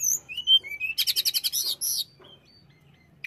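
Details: Tledekan, the hill blue flycatcher, singing to provoke rivals into aggression. Clear, slurred high whistles lead into a fast run of bright buzzy pulses, then a single thin whistle and quiet.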